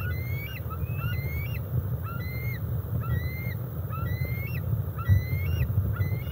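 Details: Decorah North bald eagle juveniles, two birds aged 17+ weeks spending time together, eagle cam recording from July 27, 2021; a run of sharp rising whistles, each ending in a brief downturn, repeats about twice a second above low droning noise.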